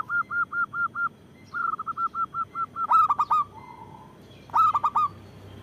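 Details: Active local zebra dove with a big voice, used as a lure and prompt for other doves: two rapid series of short repeated notes, then two loud rolling cooing phrases of four notes, and a soft hum between.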